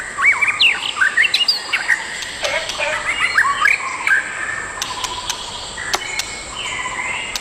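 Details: Pair of adult white-rumped shamas in the wild: lively run of upward-flicking whistles and chirps, followed by softer scattered notes and clicks against a continuous insect drone.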